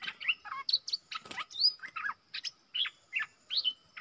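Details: Wild southern bulbul in Thailand singing back at a caged lure bird, loud-voiced but staying away from the cage. Rapid varied phrases of short whistled, slurred notes, some rising and some falling, come roughly twice a second.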